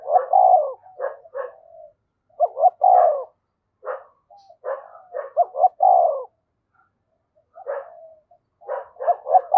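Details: Spotted dove used as a decoy to call in wild birds: repeated low cooing phrases of quick stacked notes and longer coos, with brief pauses between phrases.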